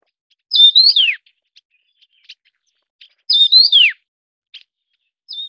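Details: Taiwan Yuhina feeding chicks: two loud whistled phrases about three seconds apart, each a level note rising then sliding down, with faint soft ticks between and a third phrase starting at the end.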